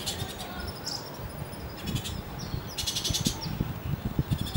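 Bullock's oriole nestlings give bursts of high, scratchy chatter, three or four rapid bouts with a few thin whistles between, over low rumbling background noise.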